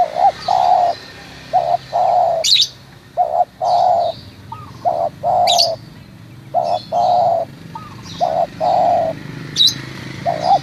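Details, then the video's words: Local spotted dove in Munjung Agung, Kramat, Tegal, cooing steadily: a short note and a longer coo repeated again and again about every two seconds, with sharp chirps of small birds between phrases. "Suara panggilan tekukur lokal"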